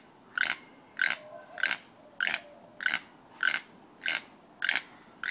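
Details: Mating song of a toucan: rasping croaks repeated in an even rhythm, about eight in five seconds, each brief and harsh, over a quiet background with a thin constant high-pitched tone.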